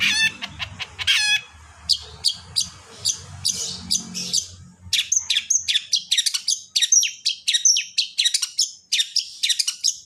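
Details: Long-tailed shrike song played to make other shrikes start singing: fast clicking notes and a brief rattle give way to a long series of crisp, high, evenly spaced chipping and whistled notes, faint hum early on.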